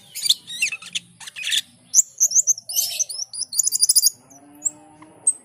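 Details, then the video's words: Asian pied starling singing energetically, mixing scratchy chatter with clear high whistled phrases and rapid squeaky trills, followed by a few faint lower tones near the end. "Jalak keling gacor dor"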